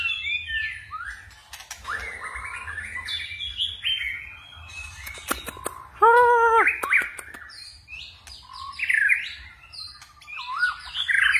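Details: White-rumped shama in forest-style song, varied whistles and chips with frequent phrase changes; a loud nasal, harmonic call repeated a few times midway, then more quick whistled phrases.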